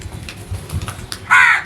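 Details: One loud, harsh crow caw at the very end after a quiet stretch of low background rumble.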